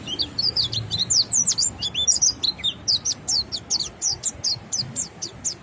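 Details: White-eye in continuous ngalas song, said to encourage other white-eyes to sing along; quick high twittering slurs give way to evenly spaced sharp downward chirps repeated about three times a second.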